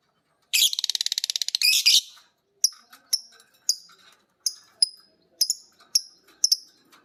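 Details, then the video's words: Pet lovebirds, biola green and PB Piet, practise ngekek by listening to each other and a master recording. A long buzzy rattle of fast pulses runs about one and a half seconds, then separate high chirps repeat roughly every half second. "Burung Lovebird biola green vs Lovebird PB Piet❗saling belajar ngekek denger masternya bunyi."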